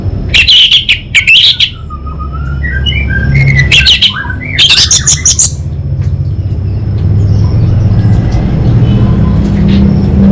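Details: Caged orange-headed thrush from North Bali, Singaraja, giving loud bursts of harsh chirps and slurred whistles early on, a pause, another burst near four seconds, then quiet with low rumbling background hum.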